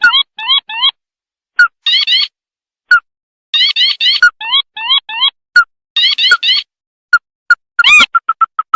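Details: Sintar mata merah bird, played as a night-time trapping lure; groups of short rising, nasal notes in quick bursts alternate with isolated single notes, ending with a loud swelling note and a fast series of short pips.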